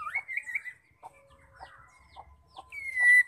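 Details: Female white-rumped shama, whose voice is used to set males singing: a brief wavering whistle, then a row of short low chucks about half a second apart, and a sustained high whistle at the end.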